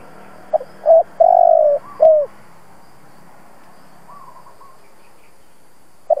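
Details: Spotted dove lure-bird cooing to stimulate other doves: a short note, then a brief coo, a long sustained coo and a falling final note, followed by quiet with a faint distant call and one more short note.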